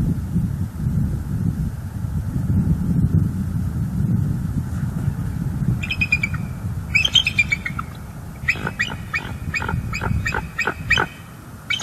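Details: Bald eagle at its nest in Northeast Florida on 11-05-23, vocalizing while flying in and out and watching the skies; a few high chirps, then a rapid series of sharp piping notes, over steady low wind or traffic rumble.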